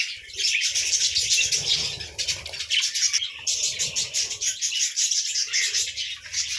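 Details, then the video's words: Budgerigars in the morning, a dense, continuous chorus of overlapping chirps and warbled twitters from several birds, with brief pauses near the start and middle. "Morning Sounds of Buddiges Parrot"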